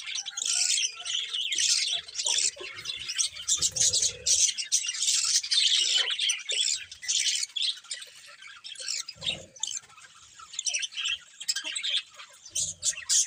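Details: Several colourful budgies in full chatter: loud, dense high warbling and scratchy chirps for the first half, then thinner bursts of squeaks and twitters with short gaps.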